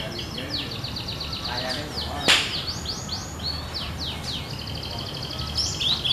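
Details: Cinereous tit singing actively, said to sound as in the wild: rapid series of high, repeated chirping notes in several bursts, with a sharp click midway and a steady low hum underneath.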